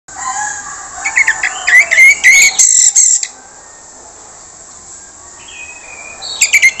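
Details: Orange-headed thrush (anis merah) giving a harsh-voiced lure song meant to make silent birds respond: dense scratchy bursts mixed with bright whistled notes over about two seconds, then quiet, with a steady high hiss throughout and a short rasp near the end.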